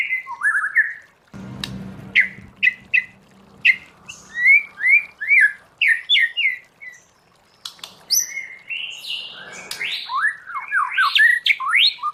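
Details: White-rumped shama singing a wild-style song for training: varied sharp upslurred and downslurred whistles and chips in quick series, with a faint low hum early on.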